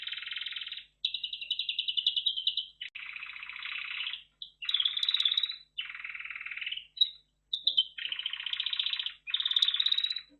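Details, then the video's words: Red factor canary delivering a chain of rolling, buzzy trills of varied pitch, each a second or so long, with short gaps and a few sharp high notes between. "Red Factor Canary Finch Singing Exhibition"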